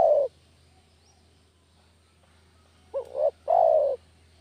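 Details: Village spotted dove lure coo for catching doves: the tail of one drawn-out coo, a pause, then a full phrase of a short wavering double note and a long, gently falling coo.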